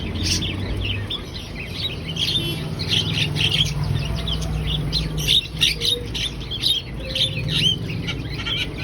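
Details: A Javan myna sings vigorously. Bursts of harsh squawks and chirpy notes sit over droning low background noise.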